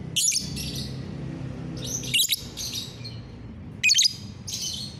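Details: Morning song of a lovebird, 30 November 2021, made of short shrill chattering bursts with bright chirps, repeated irregularly over five seconds above a low steady hum.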